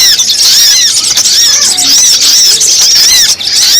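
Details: Lure recording of sogon (brown-throated sunbird) meant to draw wild birds down quickly: dense, loud, overlapping chatter of arched, up-and-down high notes, repeated rapidly and continuously with no pauses.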